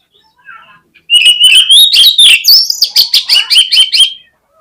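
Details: Oriental magpie-robin singing as a lure to spark song in other birds: after soft twitters, a dense three-second stream of bright whistled notes and scratchy trills, rising and falling, with rapid repeated elements.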